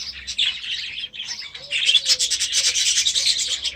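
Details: Budgerigars raised last year, now settled into a new aviary: a rasping, buzzy warble that swells into loud, rapid, scratchy chatter in the second half, with a faint low hum underneath.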